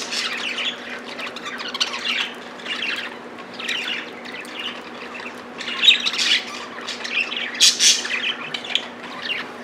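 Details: A group of pet budgies quarrelling over millet, giving continuous harsh chattering squawks in uneven clustered bursts, loudest in the second half, with a low background hum.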